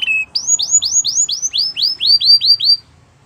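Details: Gloster canary giving a short tone followed by a neat series of about a dozen rising whistled sweeps, evenly spaced and bright, before the song stops.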